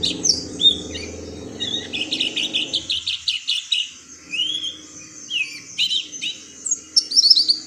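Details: Oriental white-eye, a small yellowish bird with a white eye-ring, giving high, thin, rapid chirps and short twittering notes in quick bursts, with brief whistled phrases near the end; a low hum underlies the first three seconds.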